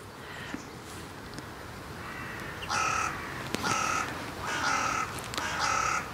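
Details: Carrion crows, part of a large flock visiting a feeding site in the Voßmoor in January 2023 on a wet, grey, cool day; four harsh, drawn-out caws about a second apart over steady background noise.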